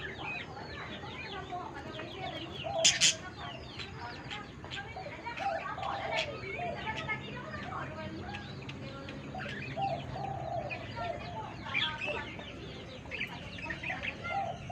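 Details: Budgerigars, a mother budgie laying and incubating eggs with her chicks, chatter constantly with quick, scratchy warbles and bright chirps layered over one another.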